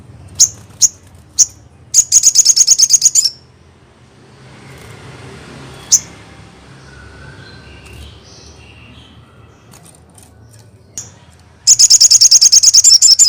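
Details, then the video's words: Crested jay (sogon) lure song: a few scattered sharp high chips, then a dense metallic rattle lasting over a second, a quiet stretch with stray chips, and a second long rattle at the end. ""JK" Burung Sogon Manapun Pasti Langsung Respon"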